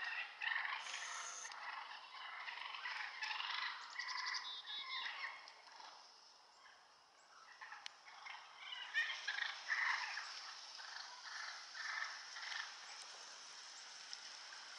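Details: A bunch of wild turkeys fighting at the edge of the woods near a home yard, April 2014: rolling gobbles and a jumble of rough, excited yelps and purrs, with a quieter stretch midway before the calling builds again.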